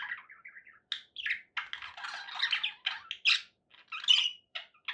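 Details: Pet budgerigar chatter: short warbled and buzzy notes in uneven runs, interspersed with sharp chirps and brief squawks, with clear silent gaps between phrases.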